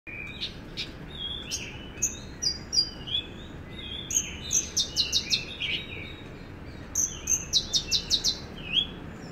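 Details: Javan bush lark singing in vigorous gacor style: a lively run of high chirps, short whistled slurs and rapid bursts of trilled notes, with clusters of sharp ticks repeated in quick series over a soft hiss.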